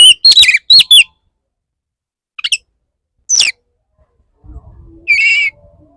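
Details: Male Oriental magpie-robin courting a female: rapid cluster of bright downslurred whistles, then isolated sharp notes after a gap, ending with one buzzy sustained note over a soft low rumble.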